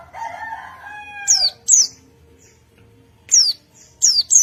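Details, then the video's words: Wild forest white-eye responding to another white-eye: high, steeply falling notes in pairs. They follow a rooster's drawn-out harmonic crow at the start. "Pleci Ngalas Pancing Bunyi Pleci Lain"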